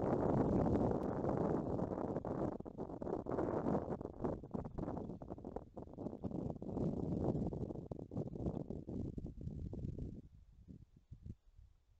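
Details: Steady broadband rumbling noise like wind or handling, fading near the end, with no animal calls.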